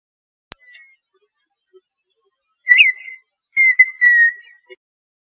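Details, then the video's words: Red-winged tinamou (perdiz) singing: a few loud, clear whistled notes, one sliding down and then leveling off, followed by a pair of drawn-out, slightly falling whistles. There are long silent gaps and a sharp click near the start. "Perdiz cantando"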